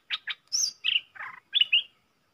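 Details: Wild red-whiskered bulbul, bold and answering a caged decoy, dated 5-6-64: two short chirps, then a high drawn whistle, a buzzy note and a final pair of bright whistled notes.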